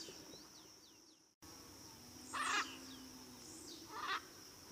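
Two harsh, raspy squawks from a blue-and-yellow macaw, about two seconds apart, over a steady high insect whine and a few faint chirps from another bird.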